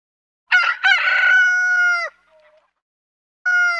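A rooster crows: a broken, raspy start swells into a long, loud, held note that drops away at the end, and a second crow begins just after.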